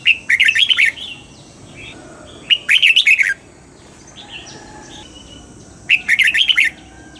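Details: Red-whiskered bulbul in dawn song training, aiming at wild-style double notes. Three similar phrases of quick, jaunty warbled whistles come roughly every three seconds, with soft quieter notes between them.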